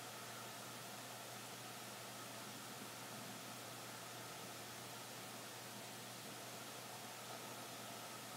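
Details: Only quiet, even hiss with a faint low hum is heard throughout.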